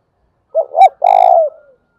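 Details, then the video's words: Spotted dove giving a long call in the thúc bổi or gáy gọi calling style: a short low coo, a rising swelling coo, a brief gap, then a long buzzy held coo that trails off and falls. The background is quiet. "tiếng cu gáy thúc bổi & Gáy gọi mới nhất, chim gáy vừa dài và đẹp mã hót hay"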